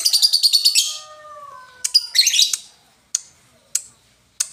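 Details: Lovebird, Indonesia, with song styles named ngetik, ngoek and ngekek: a brief shrill pulsed chatter, a faint falling whistle, a burst of scratchy squeaks, then three single sharp ticks spaced about half a second apart.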